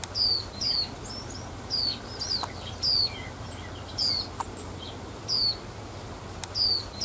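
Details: A wild female white-eye, whose calls excite male white-eyes, gives thin, very high, down-slurred notes, often in quick pairs, about once a second over a low steady hum.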